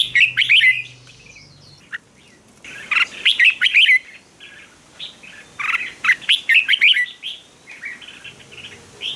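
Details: Fighting song of a red-whiskered bulbul, used to train and excite birds into competitive singing; busy, repeated bursts of bubbling, liquid whistles follow one another with short pauses.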